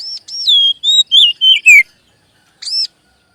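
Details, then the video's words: Song of the Oriental magpie-robin, used to stimulate young and settled birds to sing: a fluent string of loud whistled phrases that glide downward, a pause, then a single high arched note. "SUARA PANCINGAN BURUNG KACER AGAR CEPAT BUNYI DAN GACOR"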